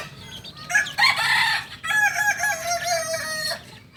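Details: Young Kokok Balenggek rooster, two months old, a singing chicken breed from Tigo Lurah, Solok, West Sumatra, crowing: a harsh opening burst, then a long level tone holding steady before fading, with faint chick peeps around it.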